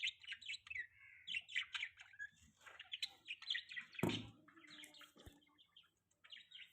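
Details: Morning chatter from pet budgerigars in mating season, with rapid squeaky chirps and warbling notes in bursts. There is a sharp knock or thump partway through, then quieter scattered chirps toward the end.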